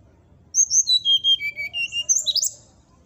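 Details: Brown-chested jungle flycatcher song meant to provoke rivals: bright whistles descending in even steps, then a quick high twittering flourish, over a faint low hum.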